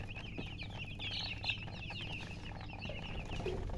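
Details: Newborn chicks piping loudly: clusters of high, quick chirps from several birds, a louder group around the middle, with low steady noise beneath.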